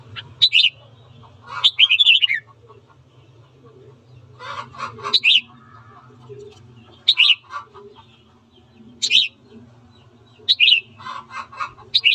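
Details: Morning song of a red-whiskered bulbul, played for voice training to provoke fighting: short bursts of sharp, warbled notes come roughly every two seconds, with quieter chatter and a steady low hum between them.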